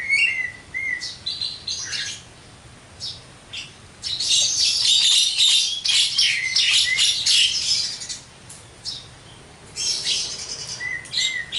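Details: Javan myna, jalak kebo, in full song: bursts of harsh chattering and squawky notes mixed with short whistled phrases near the middle, quieter gaps between loud busy passages.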